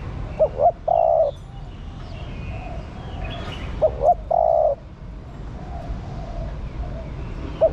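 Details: Female spotted dove calls to stimulate a male, repeating a three-part phrase of two quick coos and a long level coo about every four seconds, the next phrase just beginning; faint background chirps.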